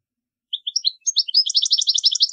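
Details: European goldfinch singing for young birds to copy: a few spaced high chips that quicken into a dense, tinkling twitter.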